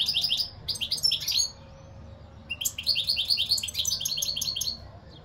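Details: Fast tinkling European goldfinch song: a quick burst of chattering, metallic twitters, then a quiet gap and a longer run of rolling, bubbly notes.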